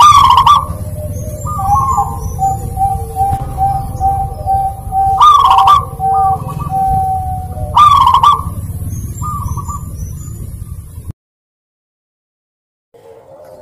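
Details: Zebra dove in lively lure song meant to prompt reluctant birds to sing: three loud, rough rolling coos about every two and a half seconds, linked by softer, steady whistled notes, over a low rumbling hum, then silence.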